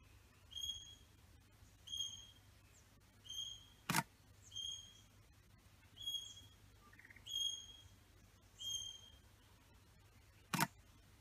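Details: Male satin bowerbird at his bower with females present: a short, bright call with stacked overtones repeats about every 1.3 seconds, with two sharp broadband clicks near four and ten and a half seconds over quiet background.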